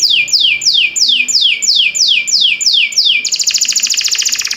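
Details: Canary song for training other canaries: evenly spaced falling whistled sweeps repeated about twice a second, switching at the end into a fast, harsh, rattling roll.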